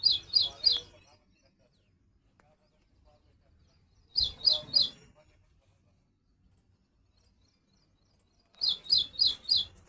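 A little woodstar gives short bursts of three to five thin, high chirps in quick succession, repeated about every four seconds, with quiet pauses between.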